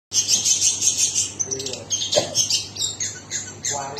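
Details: Long-tailed shrike singing a dense, scratchy high chatter of rapid notes with brief whistled bursts, loud and continuous, with a short lower warble in the middle.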